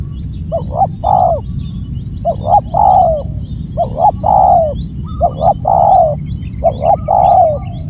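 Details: Loud, steady calling by a spotted dove: five phrases in a row, each two short rising coos and a longer descending coo, roughly every one and a half seconds, over low rumbling background noise.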